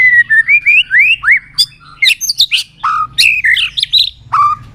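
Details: White-rumped shama (murai batu) singing again after going quiet: a rich run of clear whistled phrases, rising and falling slurs, then sharp fluttering notes and short low whistles, with a faint low hum underneath.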